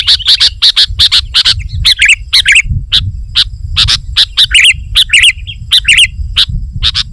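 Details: Sooty-headed bulbul singing energetically in 'gacor' style to call in wild bulbuls: bursts of sharp chips alternating with bubbly, fluty falling phrases, and a soft low rumble beneath.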